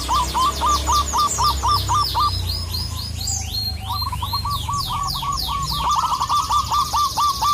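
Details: Local Indonesian zebra dove calling a rival, used to provoke other doves: rapid rolling series of hooked coos repeated about four per second, broken by a gap, while small birds twitter in high sweeping chirps throughout.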